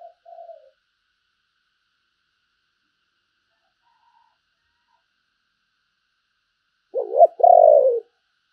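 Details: Decoy spotted dove calling in the thúc and gáy gọi styles. A short low coo comes near the start, then a long silence, then a loud stuttered coo phrase ending in a drawn-out falling note.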